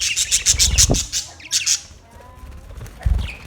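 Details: Australian parrot calling with rapid repeated harsh squawks, about a dozen fast bursts, then a pause and a low thump, outdoor setting.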